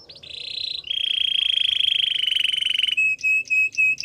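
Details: Belgian singing canary in song: a short high trill leads into a long, steady, rapid rolling trill, followed by four clear whistled notes, with a faint low hum in the background.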